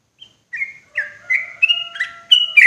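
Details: Yellow-vented bulbul, a loud, clear recording used as a lure for trapping these birds in forest: a run of short, bubbly whistled phrases near the upper-middle range, rising in loudness toward the end, over faint steady low tones.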